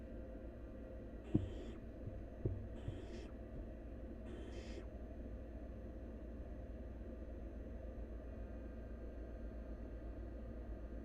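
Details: Wild barn owl nestling while feeding on half a rabbit: three short, harsh, breathy hissing bursts about a second apart, followed by steady low hum and quiet background.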